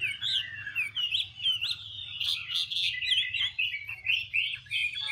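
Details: Chinese hwamei (Garrulax canorus), female dancing to stimulate the male; loud, continuous melodious warbling of bright whistles and rapid slurred notes, with a soft background hum.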